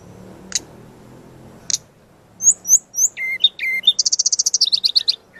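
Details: Brown-chested jungle flycatcher training master song: two isolated sharp chips, then three high slurred whistles, twisting notes and a fast rapid trill running to the end.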